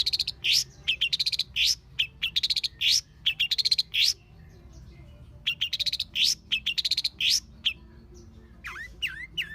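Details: Long-tailed shrike singing in the wild: bursts of rapid buzzy trills and sharp upslurred whistles in quick groups, a brief pause, then more trills, closing with a few lower swooping notes.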